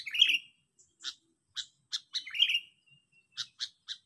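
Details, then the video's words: Sooty-headed bulbul giving an eager lure call used to challenge and cow rivals: two bright, slurred whistled notes mixed with sharp, high, clicking chirps in short bursts, fairly quiet. "Bikin lawannya Ciut,Suara Ambisi pikat memanggil"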